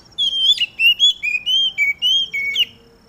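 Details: Oriental magpie-robin in the dew, its song meant to get other magpie-robins singing. Eight or nine sweet whistled notes step between high and lower pitches in quick succession, ending on a sharper rising note, over a constant faint high-pitched hum.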